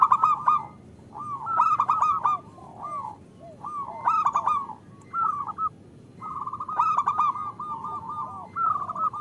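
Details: Zebra doves, a local Indonesian bird kept caged to lure others into song, heard as the female calls the male: rolling trilled coos near one pitch, bursts of fast beaded notes with short drooping slurs, several birds overlapping.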